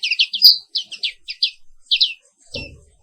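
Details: Black-capped white-eye, Papua 'wiklus' pleci, singing a quick string of high descending chirps in the morning, closing with one longer note and a brief low rattle.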